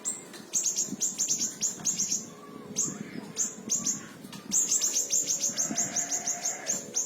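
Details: Small siri-siri song recorded as a tutor for other songbirds: very high, thin chirps repeated in quick bursts, pausing midway and then resuming faster, over a steady low hum and rumble.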